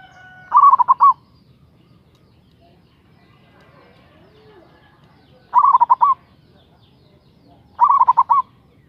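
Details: Local Indonesian zebra dove, a persistent caller with a big voice, used as a lure to provoke rivals. Three separate phrases of quick staccato coos, each ending in a slightly longer note, spaced by long quiet gaps over faint low hum.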